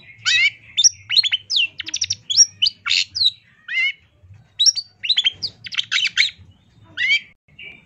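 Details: Long-tailed shrike master song for training songbirds, packed with imitated material: rapid varied phrases of harsh chattering, buzzy notes and sharp whistled slurs, delivered in dense bursts with short gaps.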